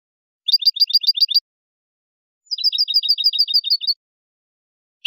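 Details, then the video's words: European goldfinch performing basic song phrases of the bell-like trilled type known as bibleos acascabelados: two fast, even trills of high ringing notes, the first about eight notes, the second about thirteen, against silence. "CANTOS BASICOS DEL JILGUERO * BIBLEOS ACASCABELADOS"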